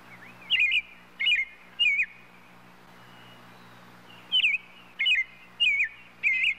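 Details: European robin gives three quick curling whistles, then a quiet pause of about two seconds, then four more matching phrases in steady succession. A low hum sits beneath.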